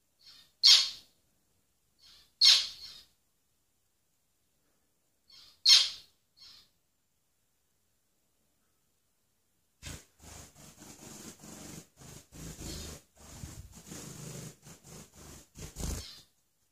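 A zebra finch gives a few loud, harsh, nasal notes, then a quieter run of buzzy, scratchy song.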